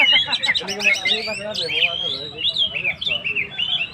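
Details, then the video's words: Oriental magpie-robin singing energetically, a recording meant to provoke stressed birds: rapid chattering notes give way to fluid whistled phrases with rising and falling turns, over a low background hum. "suara burung Kacer gacor"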